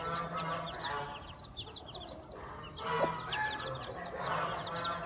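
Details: On a farm, a hen's chicks cheep continuously with sharp, high, rising peeps, the hen clucking faintly below amid a low steady hum and rustling noise.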